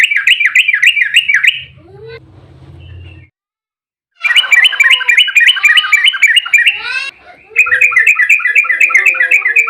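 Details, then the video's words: Emotional, fast fighting song of a yellow-vented bulbul, played to make other bulbuls respond: quick rattling note series broken by a pause with a faint low hum, then two more long rapid trills. "trucukan GACOR EMOSI ROPEL RAPAT buat pancingan trucuk agar cepat bunyi"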